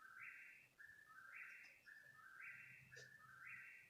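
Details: Bird sounding at three in the morning for some thirty minutes, four whistled phrases each stepping from a lower tone up to a higher sustained one, spaced about a second apart, faint low hum beneath.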